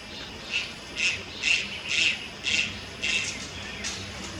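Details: Juvenile Malayan night heron at Lugu, Taiwan, 30 July 2022, uttering a quick string of about eight moderately loud rasping squawks, roughly two per second, fading at the end.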